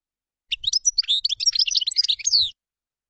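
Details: Tabbalat, the common chaffinch, in a two-second burst of high, jumbled chirps and short trills that ends in a descending whistled flourish, with a few soft low knocks in the background.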